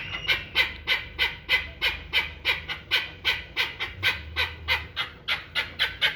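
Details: Hybrid chukar partridge, a one-year-old kept for fighting and hunting, gives a loud series of harsh clucking notes, about three per second, in a steady rhythm over a faint low rumble.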